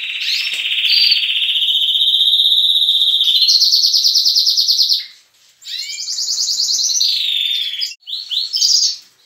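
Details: Caged canaries, young birds mixed with adults, in a breeding room at dawn. A long, steady rolled trill dominates the first five seconds, then a brief pause before more fast buzzy trills and chirps.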